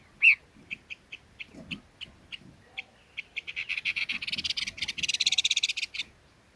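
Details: Red-billed leiothrix giving short clipped notes, sharp and high, repeated at uneven intervals, then quickening into a rapid chattering run that gets brighter and denser before stopping abruptly; faint low knocks underneath.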